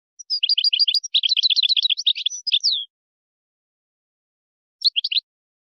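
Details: European goldfinch, Moroccan song used to tutor goldfinch chicks and hybrids; a long, rapid string of repeated twittering, tinkling syllables lasting over two seconds, ending in a downslurred note, then after silence a short twittered fragment.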